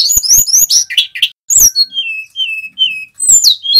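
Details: Male tledekan gunung (hill blue flycatcher) singing actively in a whistled 'nyiul' style. Rapid high chirps and clicks are followed by clear, slurred whistles that fall in pitch, with short pauses between notes.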